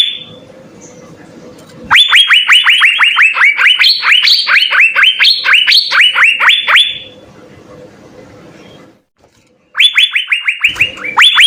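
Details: Six Asian fairy-bluebirds singing: faint background at first, then a five-second torrent of loud, rapid upswept notes, a lull with low murmuring noise, then another quick burst of rising notes.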